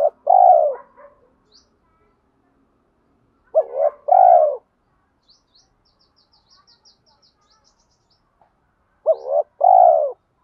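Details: Decoy spotted dove calling in the "thổ" voice mixed with "thúc đấu" fight calls to lure wild doves; low paired coo phrases about five seconds apart, a short bent note then a long coo, with rapid thin high chirps from another bird between.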